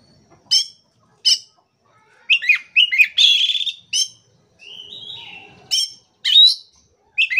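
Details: Kacer, the Oriental magpie-robin, in full gacor song: clipped ringing notes spaced about a second apart, a harsh buzzy rattle, smooth descending whistles and a soft low tone, then more bright chips.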